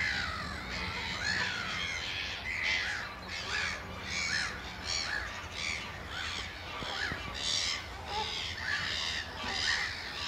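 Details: Eurasian oystercatchers in a piping display at Amwell Nature Reserve in April 2014 give loud, strident piping calls in overlapping bursts, several a second, over a steady low rumble of wind or distant traffic.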